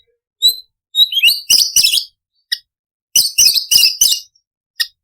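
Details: Imported white-rumped shama singing to stimulate other shamas: high thin whistles, then harsh, buzzy chattering bursts in two groups separated by a short pause, with isolated single notes.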